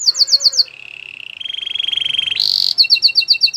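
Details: Canary song used for training: a fast run of rising notes, then a steady buzzy trill, a harsher bright rattle, and another quick series of sharp rising notes.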